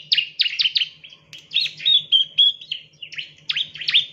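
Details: Bar-winged prinia chirping for bird training: clusters of sharp downslurred chirps alternating with short buzzy trills, loud and irregular, over a faint low hum.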